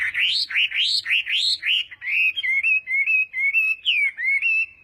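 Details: Morning practice song of a Chinese hwamei in fighting style: strong rising whistled notes in quick sequence, giving way to a level, warbling trill-like line with small wavering turns.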